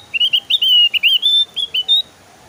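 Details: Lively song of a Javan grey-throated white-eye, played as a lure to prompt other kept birds to sing: a fast run of high, clear whistled notes, upslurred and wavering, about two seconds long against a quiet background.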